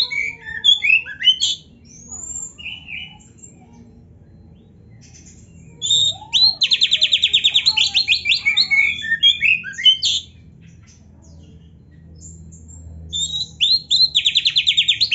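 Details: Training recording of a lively Oriental magpie-robin (kacer) song meant to build other birds' fighting spirit: scattered whistles and chips, two long buzzy rattling trills, and soft low sliding notes between bursts.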